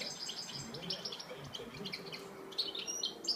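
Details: European Goldfinch at El Prat de Llobregat singing a quick, tinkling twitter of bright, high notes run closely together, over a faint low background hum.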